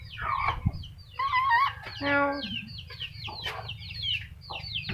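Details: Black-capped lory giving loud harmonic, wavering calls amid a busy chorus of short high chirps from many other birds over a low constant hum.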